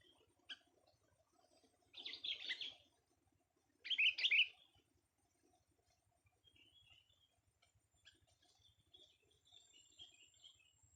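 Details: Young sooty-headed bulbul tested for its voice gives two loud bursts of fast, scratchy chattering about two seconds apart, followed by soft, scattered chirps over a faint low hum.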